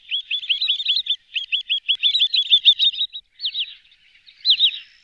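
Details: Wood sandpiper calling: rapid series of sharp, high, downslurred whistled notes, many run together in quick bursts, then a pause and two shorter doubled notes near the end.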